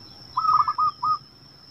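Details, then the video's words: Male local zebra dove kept in a cage, calling as a lure to draw in wild zebra doves; a soft fluttering trilled coo followed by two short, level, whistled coo notes, with a thin steady high whine throughout. "perkutut lokal liar jago memancing bunyi perkutut di kandang"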